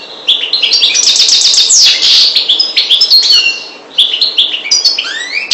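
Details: Goldfinch, parva race from the Maghreb, delivers fast runs of repeated bright chirps, a downward buzzy sweep and a string of rising slurred whistles near the end, after a short dip around four seconds.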